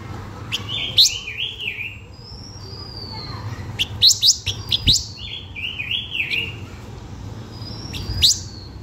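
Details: Blue-winged minla in full luring song: repeated sharp upswept notes and clicks alternating with wavering warbled phrases and a long level high whistle, the pattern repeating twice across the stretch over a low background hum.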